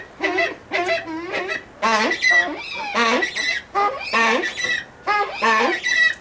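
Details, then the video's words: Brown eared pheasant in a pheasant breeding farm: loud, harsh, rasping calls in bursts about half a second long, repeated roughly every second, with rising and falling harmonics. "КОРИЧНЕВЫЙ УШАСТЫЙ ФАЗАН, CROSSOPTILON MANTCHURICUM"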